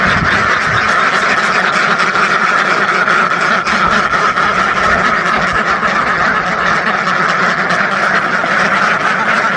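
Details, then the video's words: A flock of thousands of ducks quacking all at once, forming a dense, unbroken wall of overlapping nasal quacks with no single caller standing out and no pauses over the whole stretch. "SUARA BEBEK WEK WEK ASLI KETAWA , DUCK SOUND EFFECT , SUARA BEBEK ASLI SUARA RIBUAN BEBEK"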